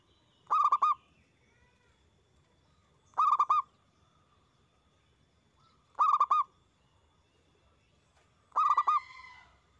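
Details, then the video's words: Loud-voiced zebra dove singing, played to stimulate other doves to reply. Four evenly spaced bursts of rapid, rolling, bubbly coos. The last burst ends in a slightly longer, trailing note. "Perkutut gacor suara besar bikin ON nyaut buka paruh"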